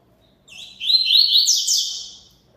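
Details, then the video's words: Double-collared seedeater singing persistently: one rapid, high, warbling phrase of slurred and buzzy notes. It swells in loudness, then fades over about two seconds, with faint low background noise. "COLEIRO CANTANDO MUITO"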